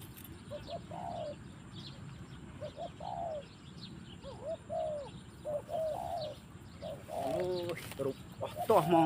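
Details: Forest spotted dove cooing in a run of short, bowed notes, some doubled, before a jumble of sharper chirps from another bird near the end, with steady low background hum.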